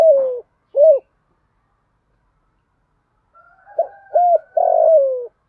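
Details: Spotted dove hen used as a decoy calls to lure wild males: a falling rolled note, a short arched coo, silence, then soft lead-in notes, two arched coos and a long burry downward-sliding note.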